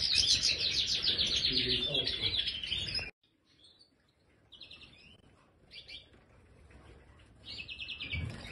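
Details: Aviary-kept European goldfinch, a 'Major' bird: three seconds of loud, dense twittering song, then a sudden drop to quiet with short, scattered chirps and brief trilled bursts.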